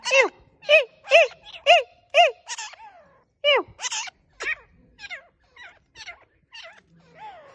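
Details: Grey francolin calls used for hunting: loud, harsh, strongly ringing notes repeated about twice a second at first, each sliding downward, then breaking into a looser series of shorter, thinner notes fading toward the end, in silence.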